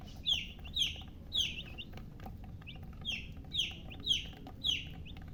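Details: Chicks chirping in clear, loud descending peeps spaced about half a second apart, with quieter chirps between and low background hum.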